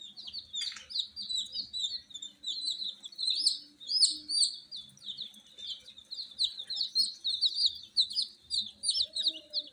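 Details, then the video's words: Newly hatched frizzle chicks chirping at night: a crowd of high, short peeps in continuous overlapping streams, a few louder separate chirps standing out, and faint low tones in the background. "Tot Murgi Chicks Chirping Sounds - Just Born Baby Gallina FRACAS Chicks Piar Loudly Sound"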